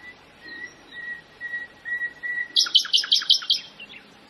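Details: A Common nightingale in Pitehno village, Hezarjarib area, Mazandaran Province, Iran, sings: a run of soft, even whistled notes, then a loud, rapid burst of rich, repeated chooking phrases about six times.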